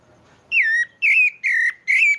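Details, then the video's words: Pale-breasted thrush, or sabiá-barranco, from Maranhão, Brazil, giving four loud, pure whistles in quick succession, each about a third of a second long and gently sliding downward, after a moment of soft background hiss. "Canto do Sabiá ao vivo"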